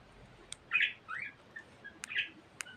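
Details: Pet budgerigar said to talk a lot, giving a quick run of warbled chirps and short buzzy squawks in the upper range, broken by several sharp clicks, over a quiet background hiss.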